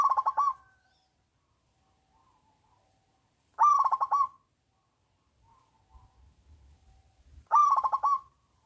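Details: Local zebra dove singing loudly as a lure for doves that are slow to sing: three rapid pulsed coo phrases, roughly every 3.7 seconds, with faint low rustling between them.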